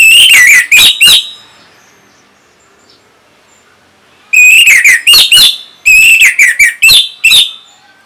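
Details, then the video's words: Orange-headed thrush performing song for training other caged songbirds to respond. Rapid loud whistled phrases come in bursts, a short run and then a longer rambling sequence of slurred, varied notes after a silent gap. "Luar Biasa ANIS MERAH ini Mampu Membuat Burung Bahan Maupun Macetan Bisa Langsung Nyaut Ngeplong!!!"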